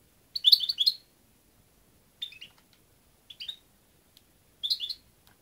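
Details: European goldfinch giving short bursts of liquid, chattering twitters, high and sparkling, spaced about a second or more apart over a faint, quiet background.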